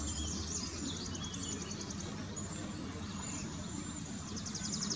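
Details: Cedar waxwings at Homer Lake Forest Preserve, Champaign County, Illinois, USA, 25 May 2020, give very high, thin, trilled hissing notes, several overlapping as from a flock, over a steady low rumble of wind or distant traffic.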